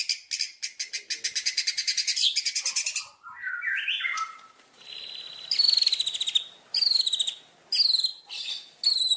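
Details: Murai batu, the white-rumped shama of Indonesia, singing as a pancingan lure: a long fast buzzy rattle, a few slurred whistles, then high thin ringing notes in short separated bursts.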